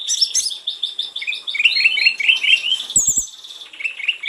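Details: Sulingan gunung (snowy-browed flycatcher) in full song, intended as a lure to get other birds of its species singing: quick strings of high warbled notes, about two per second, a few clicks and a thin high trill.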